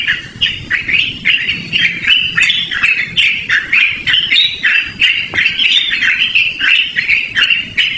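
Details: Yellow-vented bulbul singing a long rolling song for luring or training birds; fast bubbly, slurred notes about three per second against a noisy outdoor background.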